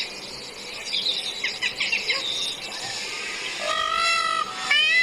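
A loud, nasal peacock wail held for about a second, then a sharper rising cry. Small birds chirp faintly beforehand.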